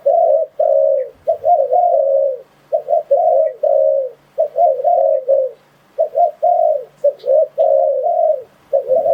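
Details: Spotted dove lure call for trapping wild doves. Steady sequences of mellow, low-pitched coos pause briefly every couple of seconds. Each phrase mixes short choppy notes with longer level tones, and there is a faint thump near the end.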